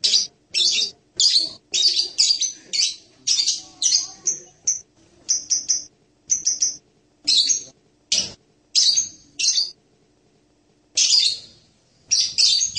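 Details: High, shrill chattering from a blue-crowned hanging parrot: rapid clusters of sharp squeaky notes, a few thin whistled tones, a quiet gap of a couple of seconds, then renewed chirping.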